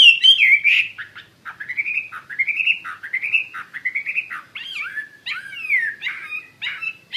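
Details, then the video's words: Chinese hwamei in energetic song, for use in training other birds: a continuous run of loud, rich whistled phrases, each slurring up then down, about two per second, with brief higher flourishes and some overtones. "SUARA KICAU BURUNG HWAMEI WAMBI GACOR"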